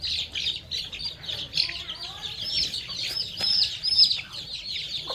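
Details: Baby chicks and young chickens feeding on termites on a farm, with continuous high, rapid chirping peeps that overlap without pause, and a few thin whistles above them.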